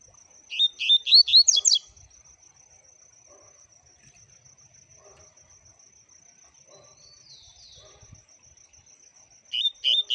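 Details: Brief bursts of double-collared seedeater song: a run of quick rising whistled notes ending in buzzy high twitters, then a long near-silence with a steady faint high tone, and a new phrase starting at the end.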